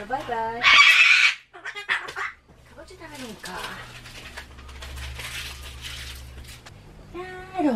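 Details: Pet Solomons cockatoo that hates loud noises and screams at town announcements and election cars; one harsh, broad, loud scream bursts out near the start, followed by quieter speech-like chatter, voices and a steady low hum.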